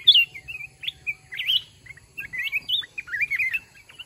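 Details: Red-whiskered bulbul in a trap fighting contest against a decoy caged for one month; cheerful slurred whistles rising and falling in bouncy phrases, separated by brief gaps, with a faint low background hum.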